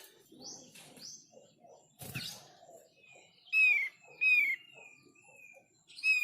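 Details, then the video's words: Thick-billed white-eye song used to get others of its kind calling back: soft high chirps and a thud at first, then three loud, clear, falling whistles repeated in quick succession. "Semua opior paruh tebal pasti nyaut"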